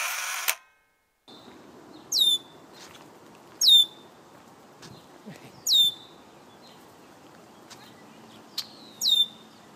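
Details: A red-winged blackbird near its nesting site in breeding season gives five sharp, high, downward-sliding alarm notes about every one and a half seconds at an approaching person. A brief burst of noise opens the recording over a low hum.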